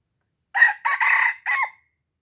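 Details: A lure call for wild red junglefowl from Aceh: one clipped crow of four parts. A brief loud first syllable runs into a drawn-out raspy middle section, then ends on a shorter drooping note, with no other sounds around it.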